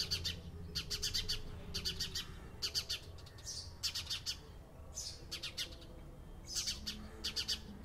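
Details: Clear house sparrow chirps, bright quick notes grouped in short bursts separated by brief pauses, repeated steadily throughout with little background noise.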